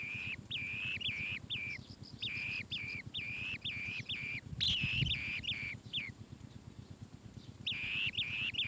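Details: An Asian green bee-eater chick in its nest burrow gives a fast run of high, thin chirps, nearly three a second, over a steady low buzzing rumble.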